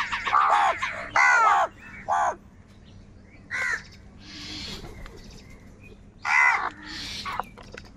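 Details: Crows squabbling over food: a burst of loud, rasping caws early on, then scattered single harsh calls after pauses, with softer noisy calls and faint chirps in the background.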